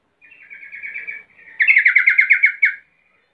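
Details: Luring call of a sooty-headed bulbul to set off answering bulbuls: a softer run of quick rattling notes, then a louder, bubbly series of about ten rhythmic chirps.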